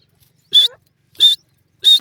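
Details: Three loud, rasping notes from a francolin, each short and evenly spaced about 0.7 seconds apart.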